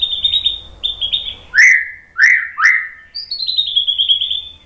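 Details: White-rumped shama song to provoke singing: thin high trilled phrases, three loud downslurred whistles, then a long descending high trill.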